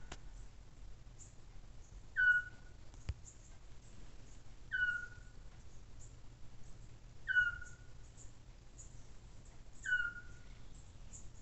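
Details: A Eurasian scops owl at night gives four short, mellow whistled notes, each sliding slightly downward, repeated about every two and a half seconds over a low background rumble.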